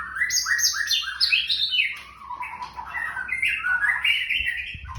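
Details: A young white-rumped shama in "trakk tipis" style pours out a dense stream of quick descending chirps, then slower lower warbling phrases that rise again, all steady and unbroken.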